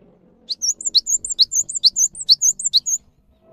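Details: Java sparrow singing a lure song meant to set off silent caged birds: steady chip-and-whistle pairs roughly every quarter second for two and a half seconds, over faint low hum.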